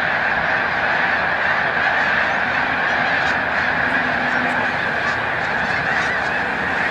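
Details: Snow goose flock during migration at Montezuma, New York, on 7 March 2022, the birds taking flight; thick chorus of honks with a few sharper high notes near the middle.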